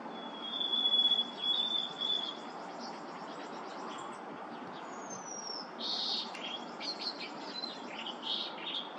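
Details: Harris's sparrows singing on April 10, 2023: long, clear, high whistles held on one pitch, mixed with short chips and twitters over a steady rushing background noise.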